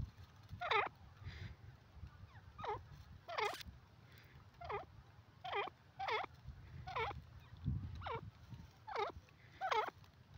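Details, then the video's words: Black francolin pair calling steadily: harsh, down-and-up swept notes repeated about once a second, ten or so in a row, over a low rumbling background. "dakhni teetar jora ki awaz"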